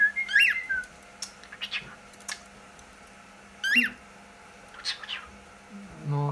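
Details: Pet cockatiel hiding inside a playhouse indoors gives two short, sharply rising-and-falling chirped calls, one near the start and another about three seconds later, among faint taps, with a person's low voice at the end.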